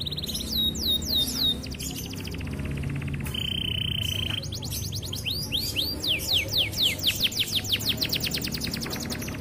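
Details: A local canary sings a fast, varied song: rapid descending whistles, a steady buzzy trill, then quick rising sweeps mimicking a prinia, over low background hum.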